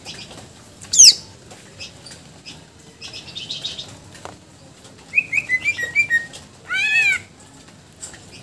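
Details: Greater green leafbird in full song, showing off its repertoire of mimicked filler phrases, used as a tutor and stimulus for other birds; sharp high downslurs, then a quick series of chirps and a ringing arched whistle.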